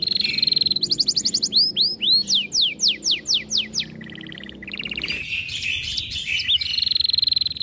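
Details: Singing canary in breeding condition, aggressive toward other birds' voices: high steady trill, then a series of loud looping and downslurred whistles, followed by rapid buzzy rattles and a sustained high trill.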